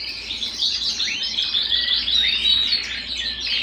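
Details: {'caption': 'Domestic canary singing at home: a short burst of high, tumbling twitters and thin whistled slurs, some gliding upward, delivered without a break.'}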